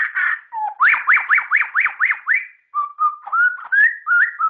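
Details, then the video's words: White-rumped shama (murai ceram, murai batu) kept as a prized songbird, singing loud clear whistles: a fast run of about eight rising upslurred notes, then a short pause and steadier, higher whistled phrases that rise step by step. "suara burung Murai ceram..(denak)"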